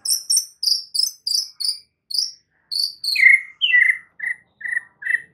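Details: Oriental magpie-robin masteran song in full isian style: a string of short high chirped notes in steady pairs, then a drop into lower, sweeter whistled notes repeated about twice a second.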